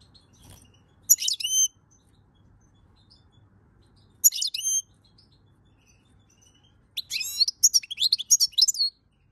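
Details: Singing European goldfinch, May 2022, giving two brief bright chirp phrases and then a longer run of rapid, liquid twittering notes, with faint background twitter.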